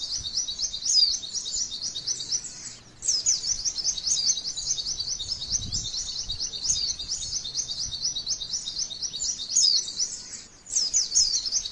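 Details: High, fast chattering song of a female white-eye, meant to provoke other white-eyes to sing, delivered in long rolling bursts of repeated zigzag notes with short breaks near three and eleven seconds; quiet low rumble underneath.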